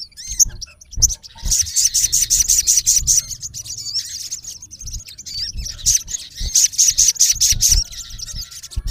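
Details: Male olive-backed sunbird (sogon) calling a rival: high, rapid buzzy trills in fast bursts, broken by short whistled slurs, with low thumps beneath.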